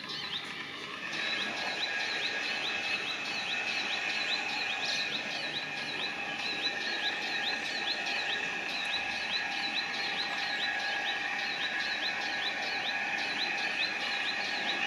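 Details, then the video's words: A male sunbird in Israel gives a warning call of sharp, high ticking notes, about two or three a second, in a steady run over a constant high buzz, likely insects. "Sunbird male warning call"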